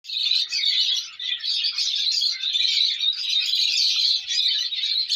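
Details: Colour lovebird chicks giving a dense, unbroken chorus of high, scratchy chirps that keep overlapping for the whole stretch, with only brief dips in loudness and no other sounds.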